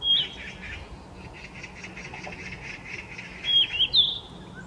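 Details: Summer-visiting yellow-rumped flycatcher singing on 4 May in Gyeonggi Province, South Korea; a clear whistled note opens, then a fluted, slightly rising phrase of several notes follows three seconds later over soft background twittering of other birds.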